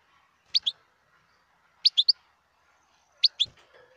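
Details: Wild European goldfinch giving short high chirp groups of two or three clipped notes, repeated about every one and a half seconds against a quiet background.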